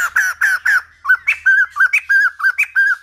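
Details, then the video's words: White-crested laughingthrush in old-forest style for training young birds' voices: four loud harmonic notes followed by quick, evenly spaced arched whistles, some flicking upward, roughly three per second. "Khướu Đầu Bạc / Chim Bồ Chao / Ép Giọng Chim Non / 100% Chuẩn Rừng Già"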